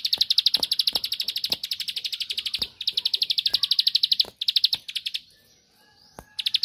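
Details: Bar-winged prinia song aimed at stirring a rival to respond: a long rapid trill of high chips that breaks off near four seconds, a brief quiet hiss, then a renewed burst at the end.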